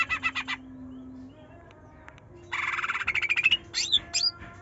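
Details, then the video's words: Trotol leafbird song meant to provoke a reluctant bird: a short burst of rapid notes, a pause, then a long buzzy rising chatter capped by two sharp hooked whistles. "Cucak Ijo Trotol Gacor Nyerecet Nembak || Pancingan Cucak Ijo Malas Bunyi"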